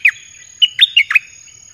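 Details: Red-whiskered bulbul singing a lure song for wild birds, a quick phrase of four or five clear warbled notes with bouncing pitch, loud and close against a quiet background with a thin constant high tone.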